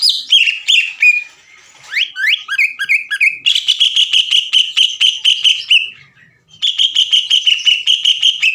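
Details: Greater green leafbird lure song of long sewing-machine-like 'ngekek' chatter, used to rouse other leafbirds: descending slurred whistles open, then a long rapid rattle of even notes, a short gap, and another steady rattle.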